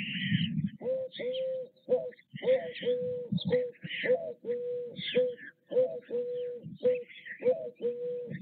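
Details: White stork chicks begging at the nest while parents feed them, Nové Mlýny, 6 May 2024: a steady series of mid-pitched drawn-out mewing notes, about two per second, with rough hissing and higher squeaks between them.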